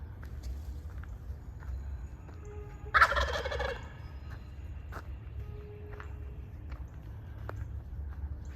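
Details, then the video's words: Wild turkey tom walking a trail ahead of a hiker, leading the way, gives one loud rattling gobble burst about a second long, rapid and throaty; otherwise quiet footsteps and soft outdoor background. "Gobble Gobble Gobble!"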